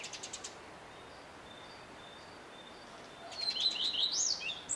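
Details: A male Common redstart sings: a few sharp high notes, a high thin whistle, then a quick jangling twitter that rises and falls near the end.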